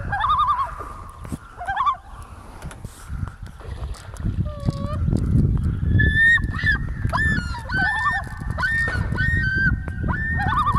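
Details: Common loons in northern Ontario, a family reacting as other loons come in: wavering yodel-like and tremolo calls, several birds overlapping, over rumbling wind or water noise.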